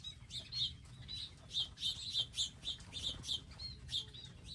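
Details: Garden feeder birds giving rapid high chirps, roughly three or four a second in loose rhythm, several birds overlapping above a low background hum.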